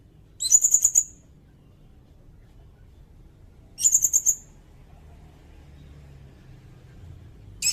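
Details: Sirindet bird repeating brief, very high trilled phrases spaced roughly three seconds apart, each a quick rattle of piercing notes, with a soft low hum in between.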